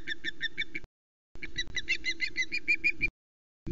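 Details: At a Loch Arkaig nest on 9 April 2020, 15:09, an osprey calls while the female carries up fresh fish from the male. Piping whistles come in fast, regular runs with a brief pause between, over light background rumble.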